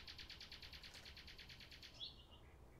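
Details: Common nightingale delivering a fast, even series of about fourteen identical throbbing notes over two seconds, then a single sharp high whistle and a brief fading note, against a faint background hiss.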